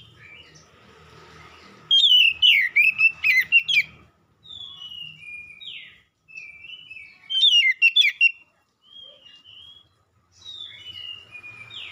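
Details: Lure song of an oriental magpie-robin meant to prompt a reply: two loud bursts of fast, varied, twisting whistles separated by softer drawn-out whistled phrases, over a low background hum.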